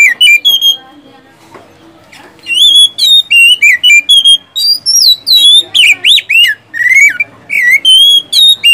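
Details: Oriental magpie-robin song used to lure silent caged birds into singing: after a quiet opening, loud varied whistles, rising and falling slurs and sharp notes in quick bursts, with a faint low hum beneath.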